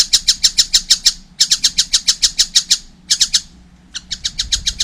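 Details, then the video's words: Young collared kingfisher giving energetic calls: several bursts of quick, harsh, evenly spaced notes at roughly three per second, separated by brief gaps, the last burst softer; faint low rumble behind. "wow masih kecil udah gacor , anakan burung tengkek buto"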